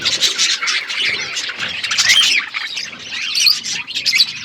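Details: Chirping parrots at their food, recorded February 25, 2024; shrill, overlapping chirps and harsh squawks pour out in a thick, unbroken chorus with a few thin whistled notes.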